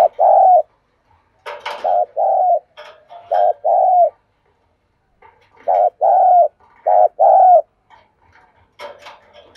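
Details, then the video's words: Decoy spotted dove giving the gáy gọi, thúc call to provoke a response: low mellow coos in phrases of three or four notes separated by pauses, with faint soft clicks between phrases. "Tiếng chim cu gáy thúc bổi chuẩn nhất | Gáy Gọi, Thúc || Chim Cu Mồi"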